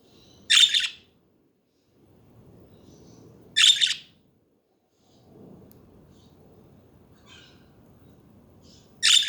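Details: Budgerigars chatter in loud, rasping, buzzy chirps roughly every three seconds, with faint softer chirps between them against a low background murmur.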